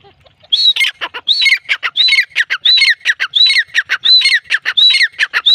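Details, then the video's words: Teetar or grey francolin calling steadily after a quiet start: ringing arched notes with harsh rapid notes between them, repeated about seven times at an even pace. "gray francolin teetar sound"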